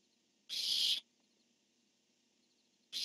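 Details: A barn owl screech from a nest camera where a male calls and a female answers: one loud, harsh, noisy shriek of half a second, then silence until another begins at the end.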